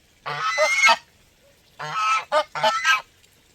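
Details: A goose honks twice in a row, a long grating call, a pause, then a burst of three quick harsh honks; the background is otherwise quiet.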